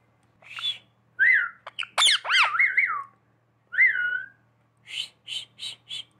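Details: Pet talking parrot whistling like a person: clear up-and-down whistled slurs, a burst of sharp looping notes in the middle, a repeated whistle, then a series of short breathy bursts at the end.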